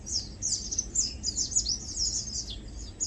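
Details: Close Lowland White-eyes feeding and preening, giving clear, sweet high twitters and short slurred notes in quick succession, some dipping slightly in pitch, over a quiet background.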